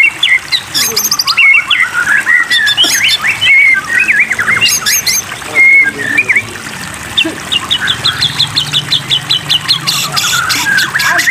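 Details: White-rumped shama song in a water therapy meant to lure caged birds into song: sharp high chips, bright whistled slurs and fast chattering runs in bursts, over a continuous trickle of water.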